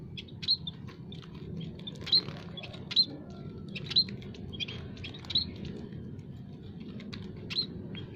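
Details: Munias, including white-headed, scaly-breasted and Javan munias, in an aviary give short, thin, high chirps, about six loud ones in eight seconds, with fainter ticks between, over low rumble; the calls summon rivals and serve as lures.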